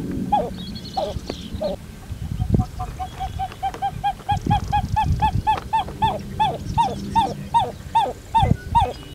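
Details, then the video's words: A Pied-billed Grebe gives a long, loud series of hollow, barking notes, quick and even at first, then slower, drawn-out cowp sounds, over low rumbling background noise. "斑嘴巨鷿鷈/Pied-billed Grebe"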